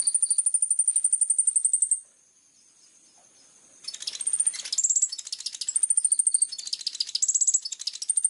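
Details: Plain-throated sunbird (kolibri ninja), singing actively in the sharp 'full tembakan' style used for masteran training. A long high thin whistle runs for two seconds, then a pause, then dense, very high chattering notes and brief whistled phrases.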